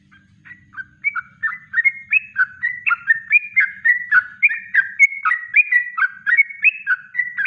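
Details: Yellow-vented bulbul in natural song, a master recording for training birds: lively, continuous bubbly whistled notes in a fast rhythm, rising and falling, growing louder after the first second.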